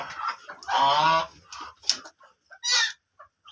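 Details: Black duck giving a drawn-out, nasal, harmonic call lasting about half a second, then a shorter, higher call a moment later, with scattered faint clicks and rustles between.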